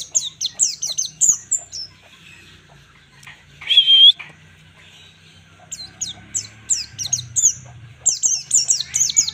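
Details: White-eye, called pleci, in ngalas-style song used as a master recording for training birds: rapid runs of high, sharply descending chips, a single drawn-out whistle near the middle, then renewed chip runs.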